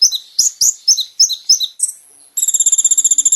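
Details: Kolibri ninja singing for caged-bird training: several sharp, falling chirps roughly three per second, a brief high note, then a rapid ringing trill.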